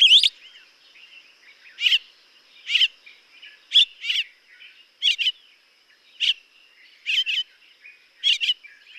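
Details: A violet-backed starling (Cinnyricinclus leucogaster) gives short, bright chirping notes, some single and some doubled, about once a second, over a faint steady high insect-like hum.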